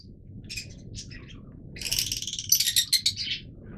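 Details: Yellow mutation Fischer's lovebirds giving a dense burst of shrill, high chirps in the second half, preceded by a few isolated squeaky notes over a low background hum.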